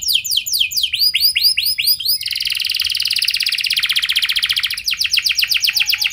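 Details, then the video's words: Lure song of a canary, rich and varied with long runs, for prompting other canaries to sing. Rapid down-slurred whistles lead into a long, dense, buzzy trill, then a series of quick repeated sweeping notes. "Pasti Nyaut Gacor Do00r Dengan Pancingan Kenari Cengkok Mewah Nembak Panjang Ini"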